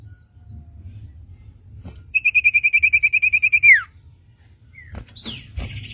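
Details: Common iora song meant as tutor material for young caged birds: a rapid, even trill of about fifteen pure whistled notes ending in a falling slur, followed by a couple of short rising and falling whistles.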